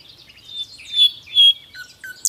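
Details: Short nightingale passage of clear, piping whistled notes on a steady high pitch, with two lower sliding whistles and a closing sharp squeak.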